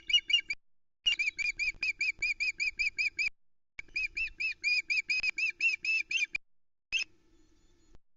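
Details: Female osprey demanding fish on the Loch Arkaig nest, 2 July 2020, after refusing a trout the male brought; long runs of high, ringing piped whistles repeated rapidly, with brief pauses and soft nest-camera hum.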